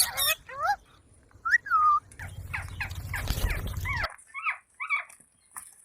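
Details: Baby Indian green parrot, reportedly talking, uttering curved whistled notes and a drawn-out falling whistle, with a burst of rough chatter over low rumble before a quieter close.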